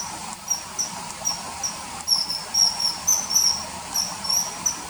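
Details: Short, piercing high whistles from a common kingfisher, added to river footage shot in early September 2020, come in a quick uneven series that grows denser in the second half, over faint background hiss.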